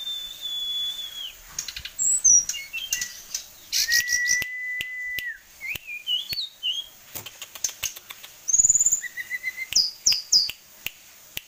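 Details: Tame caged sulingan gunung showing many song variations: long drawn-out whistles at different pitches, a steady held tone near two seconds long, twisting slurred phrases and bursts of quick high notes, with frequent clicking throughout.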